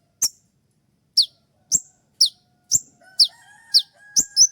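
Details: Spotted-variety kolibri ninja sunbird giving a sharp 'shot' song, used as a training master for other songbirds and played at dawn; piercing high notes, each sweeping sharply downward, spaced roughly a second apart, with a faint low trill near the end.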